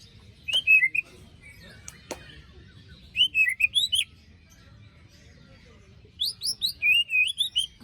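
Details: White-rumped shama song, used as a lure for birds that stopped singing after moult. It has three bursts of high, clear, wavering whistles with slurred up-and-down notes, separated by pauses, plus two sharp clicks early on.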